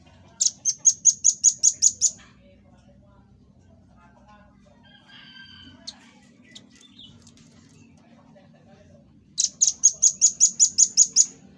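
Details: Red-billed scimitar babbler, recorded as a master-song for training cage birds: two bursts of about eight sharp, high, evenly spaced notes, roughly one every quarter second, separated by a quiet stretch with faint scattered chirps.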